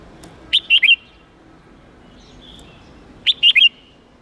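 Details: Red-whiskered bulbul giving a wild-standard 8-9-10 note song used to train young birds; here two brief matching phrases of three sharp, bright whistles each, nearly three seconds apart.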